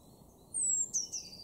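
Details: Eurasian blue tit in a garden in Weener, East Frisia, northwest Germany, March 2024: a very high, thin, slightly falling whistle, then two quick sharp high notes, over a faint low background hum.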